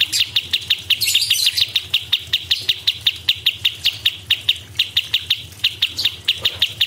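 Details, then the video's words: Cucak cungkok song in the rapid 'tembakan' style used as masteran: sharp, high whistled notes repeated evenly about four times per second for seven seconds, with a faint low hum underneath. "CUCAK CUNGKOK ISTIMEWA GACOR"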